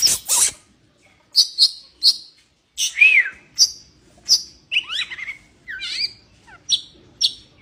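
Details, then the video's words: White-rumped shama in breeding condition giving a varied song of sharp high chips, a bright down-slurred whistle and quick rising and falling twisted notes, delivered in separate bursts with short gaps. "kacer birahi"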